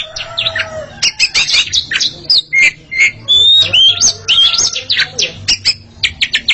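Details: Two Oriental magpie-robins competing in song, a burst of varied sweet whistles and sharp clicks, with short sustained whistled notes and rapid chip series.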